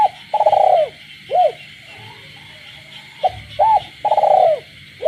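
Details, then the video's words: Caged spotted dove cooing at night in the countryside: a short note, a rising-falling arched coo, then a long rough trilled coo, twice over, while a steady high frog chorus drones behind. "cu gáy trong đêm, cu nuôi avi gáy ban đêm hòa cùng tiếng ếch nhái đậm chất làng quê"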